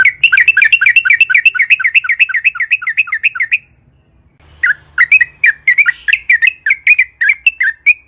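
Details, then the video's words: Lure song of a sooty-headed bulbul in long rolling 'ropel panjang' style: a fast chain of wavering up-and-down notes for several seconds, a short silence, then a second bubbling burst of sharp notes. "KICAU trucukan gacor JITU NGALAS ROPEL PANJANG buat PANCINGAN agar burung trucuk gacor SEKETIKA"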